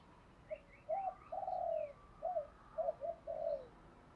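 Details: Spotted dove lure call meant to provoke fighting and answering calls: soft, faint hooting coos in a broken phrase over steady background hiss, with thin higher chirps from another bird above.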